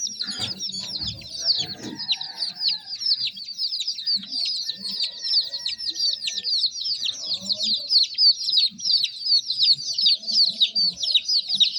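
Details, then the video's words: Many baby chicks peep together in an unbroken stream of high, sharp chirps, each a quick falling note, steady throughout, with only a few faint soft low sounds early on. "Tint Baby MURGI Chicks are Chirping Sounds"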